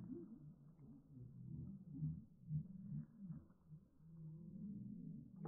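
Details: Several homestead heritage turkeys' calls, slowed far down into deep, moaning, whale-like tones that rise and fall in overlapping swells over a low rumble.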